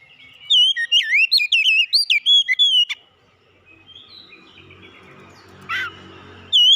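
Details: Rapid series of sweet, swooping whistles from an oriental magpie-robin for about two seconds, then near silence with faint rustling, one soft call, and a final whistle.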